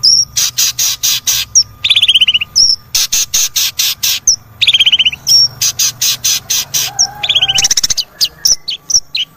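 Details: Cendet, or long-tailed shrike, singing in a recording meant to trigger another bird: staccato harsh notes, a loud fast rattle, a descending buzzy trill and thin high whistles.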